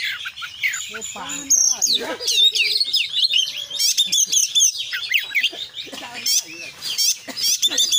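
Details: Oriental magpie-robin in full konslet-style song packed with isian fill-in phrases: varied sweet whistles, sharp slurred notes and rattling bursts, high and bright, tumbling in quick succession with barely a pause.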